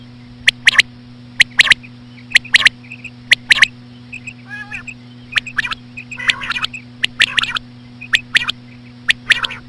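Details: Common quail female sounds, slow style, for drawing quail in: ten seconds of sharp note pairs and triplets near once a second, a short rattling harmonic call, soft pips and buzzy notes mixed in, steady hum beneath.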